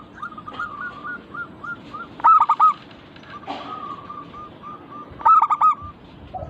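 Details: Local zebra dove song, used as a lure to make other doves start singing. Soft evenly spaced coos lead into two loud rolling bursts of four quick notes each, with a brief rustle in between.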